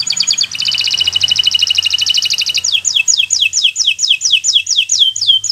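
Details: Bottle-green local canary singing as a master for young birds learning to sing: a long, fast, even trill of high notes, then a series of rapid, descending whistled sweeps repeated about twice per second.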